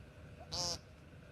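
An American woodcock gives a single short, nasal, buzzy note of about a quarter second against a quiet background.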